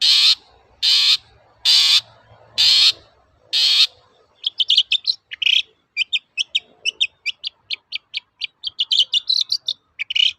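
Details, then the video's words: Long-tailed shrike lure song for training birds: five loud harsh buzzy bursts about a second apart, followed by a long rapid stream of varied clipped chirps and twittering notes. "BURUNG CENDET GACOR TOET-TOET, PANCINGAN AMPUH SAAT INI"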